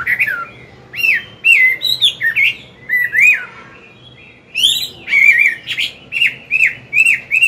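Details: Chinese hwamei, an old wild-caught bird, singing in the morning, used for training a young bird: loud, varied whistled phrases of rich slurred notes, some rising then falling, in bursts with short pauses and a faint low hum behind.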